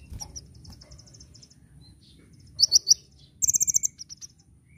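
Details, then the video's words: Sunbird (kolibri ninja) song used as a training recording for cage birds, in the gacor nyecret nembak style: sparse, very high thin rapid trills and short chip bursts, with quiet low background noise between phrases. "Masteran Burung Kolibri Ninja (KONIN) Gacor Nyecret Nembak"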